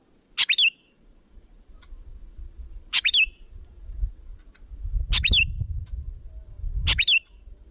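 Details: Lure call of a sooty-headed bulbul, used to call other bulbuls in: four brief bright chirped phrases roughly every two seconds, each ending in a falling whistle, with a low rumbling noise swelling in the background.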